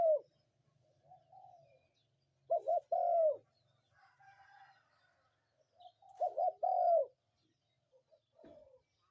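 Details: Spotted dove calling at morning, two full phrases of a stuttering double note followed by a drawn-out coo, with softer murmuring notes and faint chirps in the pauses and a low hum underneath.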